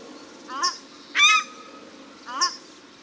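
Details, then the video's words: Paradise shelduck male and female calling in Cornwall Park, Auckland, New Zealand: a broad, harsh honk between two thinner, nasal notes, roughly a second apart. "Paradise Shelduck Calls at Cornwall Park Auckland，New Zealand"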